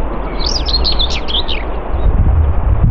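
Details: Common whitethroat (Curruca communis) at Morte Hoe, Devon, UK, singing one brisk, scratchy warbling phrase of jumbled high notes lasting just over a second, over steady low wind rumble.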